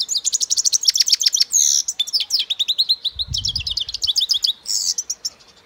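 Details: Singing European goldfinch: a continuous, rapid twittering of bright chirps, buzzy trills and slurred notes, loud and close, with a brief low rumble midway.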